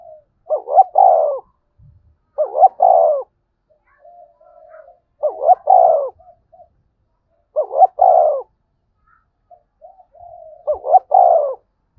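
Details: Repeated spotted dove phrases, 'gáy thúc' and 'gáy gọi' calls for drawing wild doves to call along: five phrases roughly every two and a half seconds, each two quick rising notes and a throaty coo, with quiet murmurs between.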